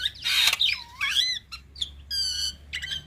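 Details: Black-winged myna song meant for young birds to learn, full 'isian tembakan' fill: harsh grating squawks, looping slurred whistles, and a rich nasal harmonic note, in short separated bursts.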